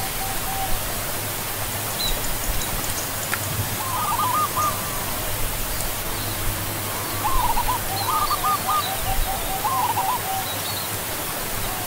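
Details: Barred ground dove (perkutut) cooing in short, fast-pulsed phrases of several notes, a few phrases spaced over several seconds, against a constant low hum and soft background hiss.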